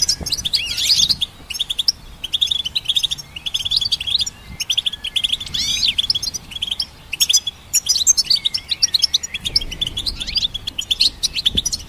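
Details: Singing goldfinch hybrid used for training songbirds, giving a long, lively run of high twittering notes, slurred whistles and buzzy trills that flow almost without break, with quiet low rumbles in the background.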